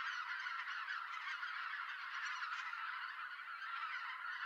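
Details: Close, loud chorus of Greater White-fronted Geese flying in to roost in Japan in November, harriers also going to roost; thick overlapping cackling honks filling every moment.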